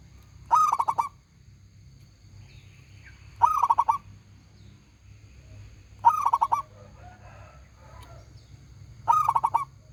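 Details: A vocal local zebra dove with a big, ringing voice repeats its phrase four times, a sharp coo followed by rapid trilled pulses, at intervals near three seconds; soft twittering from other birds and low rumble in the background.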